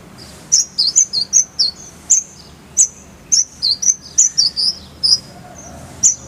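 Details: Brown-throated sunbird (konin, kolibri ninja) song used as a tutor recording for training birds: high, thin chirps and short whistled slurs, some rising and some falling, spaced irregularly about every quarter to half second over a quiet background.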